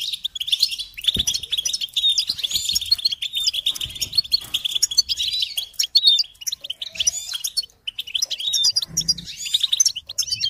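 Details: Goldfinch song from a training tape for young songbirds: long runs of bright, tinkling twitters and buzzy trills, with a short lull near the middle before the chatter resumes.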